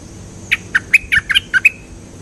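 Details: Cream-vented bulbul singing a quick burst of about eight short, bubbly notes, each dipping and rising, delivered over roughly one second against quiet background.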